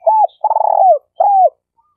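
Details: Spotted dove (tekukur), a lure bird of the denak type used for trapping in Malaysia: a short arched coo, then a long rolling trilled coo, then another arched coo, all low and mellow in a quiet room.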